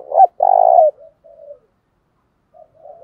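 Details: Spotted dove decoy voice of the Thổ Pha Đồng type: a short rising coo leads into a long burry, quavering note, followed by faint low coos from farther away.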